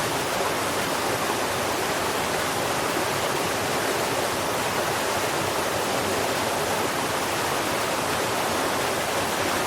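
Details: Steady broadband rushing like a stream or waterfall fills the whole stretch without a break, and no animal call rises above it.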